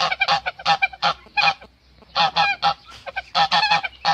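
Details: Loud, brassy honks from a male goose guarding his mate, delivered in rapid clusters with a lull near the middle before the calling resumes.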